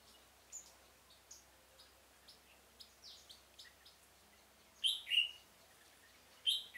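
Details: Red-whiskered bulbul used as a decoy for trapping in a pomelo garden, 25 October 2017: scattered short chirps, then two loud, bright warbled phrases near the end over a faint hiss.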